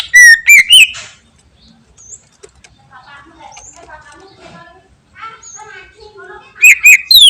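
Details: Greater green leafbird in full, busy song packed with varied phrases, played to make other birds answer; loud, sharp whistled and slurred notes burst out at the start and again at the end, with softer, quick twittering phrases in between.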